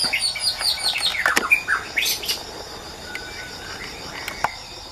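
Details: Wild white-rumped shama singing in the wild: a quick run of clear whistled notes, some sliding and some rising, packed into the first two seconds, then sparse short notes over a steady high insect drone.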